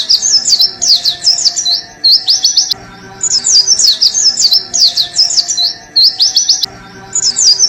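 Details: Oriental white-eye singing energetically beside coffee: a rapid, high, tumbling twitter of sweeping whistled notes in a roughly two-and-a-half-second burst. A short pause follows before the same phrase starts again, over faint low steady background tones.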